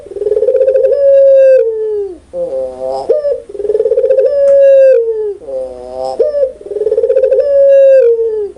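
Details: Clear, loud cooing of a pelung Barbary dove, three long drawn coos in about eight seconds, each beginning with a fluttering roll, holding steady and sinking at the close, with short warbled notes in between.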